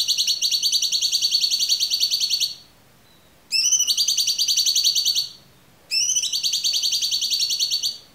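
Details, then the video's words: Cucak cungkok song in a clear recording: three long, fast, rattling high trills, each beginning with a quick rising slur and running about two seconds, with short silent gaps between. "MASTERAN AMPUH CUCAK CUNGKOK suara jernih"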